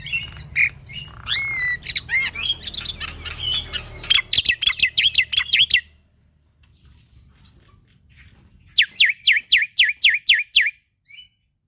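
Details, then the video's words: Male Javan pied starling in lively full song, played to coax young starlings into singing: varied chattering and whistled phrases, a rapid burst of about ten sharp notes, a short pause, then a fast series of about nine descending whistled notes. "Masteran Burung Jalak Putih Gacor Full Isian Untuk Jalak Nusa / Jalak Pito Muda"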